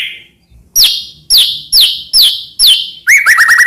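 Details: White-rumped shama master song for rousing other shamas: five loud downslurred whistled notes about half a second apart, then a rapid burst of short repeated notes.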